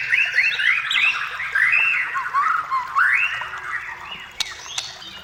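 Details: White-rumped shama song intended to lure shamas into singing: a run of looping, rising and falling warbled phrases, loud at first, softer toward the end with a couple of sharp clicks.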